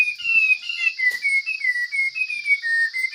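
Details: Wild Chinese hwamei in full, strong song: a rapid series of clear whistled notes, each slurring slightly up or down, with a steady high hiss throughout.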